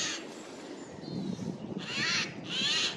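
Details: Eurasian jay in a spring forest, April 2024, giving its loud call: a short harsh rasp at the start, then two strong, grating screeches back to back in the second half.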